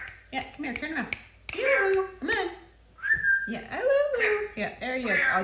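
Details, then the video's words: A pet African grey parrot chatters away indoors while its owner cooks dinner. It gives bursts of rising and falling voiced whistles and speech-like chatter, with one clear sustained whistle midway, while a person talks softly nearby. "amazing talking Parrot"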